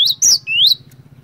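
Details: A singing glatik batu (cinereous tit), used to prompt other birds: one brief phrase of high whistles, a downslurred note then a long rising whistle, over a soft low pulsing hum.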